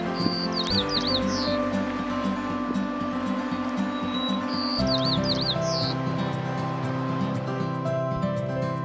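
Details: White-crowned Sparrow singing its heart out in a parking lot at Nisqually National Wildlife Refuge, Puget Sound, Washington, after chasing off a Savannah Sparrow: a clear whistle, then buzzy trilled notes and a rising slur, twice, over background music.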